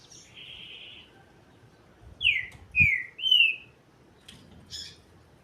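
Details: Green-winged saltator singing a phrase of three loud, clear whistled notes at mid-high pitch, the first slurring downward and the last rising, after a softer buzzy trill, over a quiet background.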